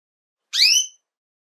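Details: A female Belgian canary calling in breeding season, used to stimulate males to sing, gives a single short, bright call, a slightly falling, reedy note under half a second, with silence around it.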